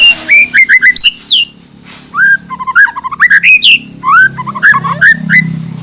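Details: White-rumped shama song aimed at inciting other shamas: a rich, rapid stream of varied whistled notes, rising slurs and quick chattering phrases with sharp clicks, over a soft low hum.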